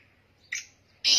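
Black francolin giving two loud, harsh, grating notes about half a second apart, high and scratchy, over a quiet background.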